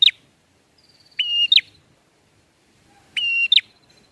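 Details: Bar-winged prinia singing the ngalun style, a song used to lure birds for trapping: two clear rounds, each of a thin high whistle leading into a strong buzzy burst and a sharp chip, about two seconds apart, with no other sounds.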